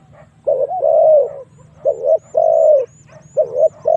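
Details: A spotted dove coos as a lure to bring wild doves in to fight. Soft paired phrases, a brief note then a sustained slightly falling coo, sound over a low hum. Faint high chirps are also heard.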